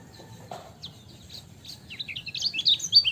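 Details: Lemon-bellied white-eye on a training recording: a soft thump and sparse thin notes, then an intensifying series of quick, high, bright chirps rising in loudness toward the end.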